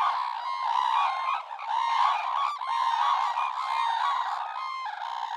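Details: Red-crowned crane calls, a dense chorus of loud honking, trumpeting notes with strong harmonics, overlapping continuously with brief dips; several birds appear to call together.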